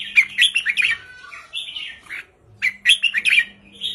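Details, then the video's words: Short, easy song of a caged red-whiskered bulbul in the counting style 3-4-5: two clusters of rich, bubbling warbled notes separated by a brief silence, over a faint, constant low hum. "นกกรงหัวจุกริกมันส์ เพลงสั้นๆ ร้องง่ายๆ สไตล์นับดอก 3-4-5 เปิดยั้วนกฟังนกคึก"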